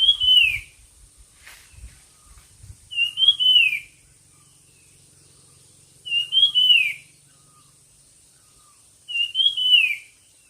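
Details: A bird in a song contest repeats a slurred whistle that climbs briefly and then drops, about every three seconds. Faint low noise comes early on.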